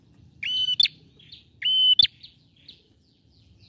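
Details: Lure recording of a frequently singing male bar-winged prinia, meant to make quiet birds sing: two flat, buzzy tones, each closing with an abrupt rising click, followed by faint softer notes over a low background rumble.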